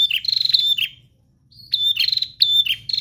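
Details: Prinia giving an energetic 'gacor' song of high, rattling, down-slurred chirps in quick bursts, with one brief silent gap midway; a faint low hum sits underneath.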